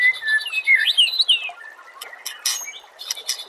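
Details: White-rumped shama song used as training material for contest birds: loud, clear whistled phrases sliding up and down, then fainter scattered chips and high trills in a sharp, rapid sequence.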